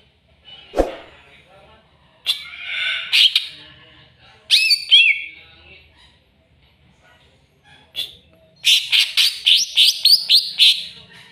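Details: Greater green leafbird, riled up by a rival, mixes harsh squawks and twisting whistled slurs. It finishes with a rapid series of about eight sharp, upswept notes.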